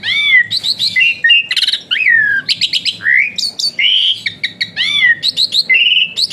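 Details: Asian pied starling in full varied song, the kind played to train other birds and stir reluctant singers: a fast jumble of slurred whistles, rising and falling, broken by buzzy chatters and short clicks.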